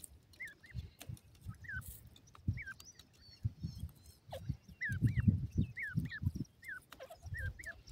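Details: Francolin, known locally as dakhni desi teetar, giving short, thin, downward-slurred chirps, single or in close pairs, scattered over several seconds, over low dull thumps and handling noise.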